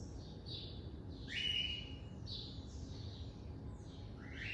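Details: Double-collared seedeater (coleiro) kept by a breeder, classic song style: soft high notes alternating with a rising slur that flattens into a clear whistle, repeated over steady low background noise.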